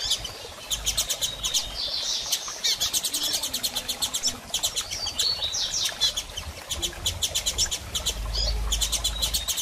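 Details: Female Double-collared seedeater, eager to mate and soliciting a male. Bursts of rapid, high, dry ticking pulses repeat again and again, mixed with short chirped notes. Faint low rumble underneath.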